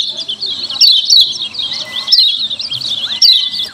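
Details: Lemon-bellied white-eye 'ciak ciak' calls, a lure meant to make other white-eyes answer: steady shrill chattering with sharp down-slurred notes at irregular intervals, and two long flat lower whistles.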